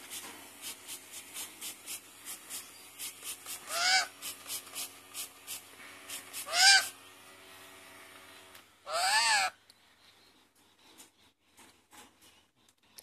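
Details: A lorikeet its owner calls very strange and annoying gives three loud, harsh, rasping screeches a few seconds apart, between rows of softer rapid clicking and chattering notes.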